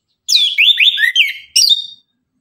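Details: Morning 'tembakan' song of an Orange-headed thrush, sung energetically: a fast run of bright, slurred whistles swooping up and down, a short break, then a final loud whistled phrase fading into quiet.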